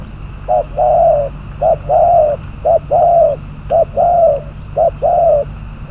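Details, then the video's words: Spotted dove kept as a decoy for trapping, bird number 22, delivering a regular, rhythmic coo series. Each short coo is followed by a longer held coo, about once a second. "Bẫy cu gáy mồi, con số 22, cuckoo trap, bird number 22 !"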